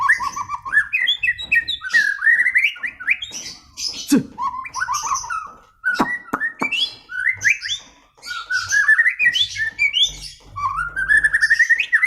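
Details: White-rumped shama kept at home, singing a rich, varied song of rapid whistled phrases that rise and fall, with buzzy notes and brief pauses, continuous over twelve seconds.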